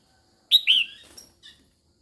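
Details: A female Red-whiskered bulbul calls to stimulate males. One crisp two-part whistle has a short sharp first note and a longer, slurred falling second note, followed by a faint brief note.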